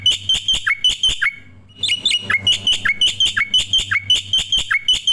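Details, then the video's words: Song of a starling or myna, played as master training audio for other birds: rhythmic series of sharp, down-slurred chirps repeated about three times per second, broken by a short gap. "suara masteran burung jalak putih,jalak kebo,jalak nias,jalak suren"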